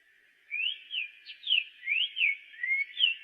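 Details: Song of a black-faced tanager: about eight bright, slurred whistles, rising and falling, delivered in a brisk run over a constant faint background hiss.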